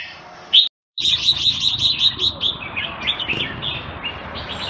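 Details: Red-whiskered bulbul, or jambul, in Singapore: after a short break in sound, a fast string of about ten clipped, evenly spaced whistled notes, trailing into softer warbling over low background rumble.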